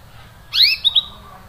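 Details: Canary producing one loud, rising-then-falling chirp followed by two short clipped notes, a 'cuit' call meant to make a silent canary sing again.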